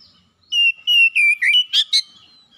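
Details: Oriental magpie-robin kept at home, singing in gacor style: a run of six loud whistles, long level notes that step gradually lower, then two short sharp higher notes, with silence around them.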